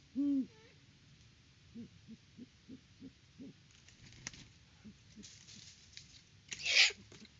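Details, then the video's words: Great horned owl at a Kansas farm nest: one deep hoot, then a few soft, short clucks, followed by rustling and scraping sounds near the nest. "HootFest @ the Nest!"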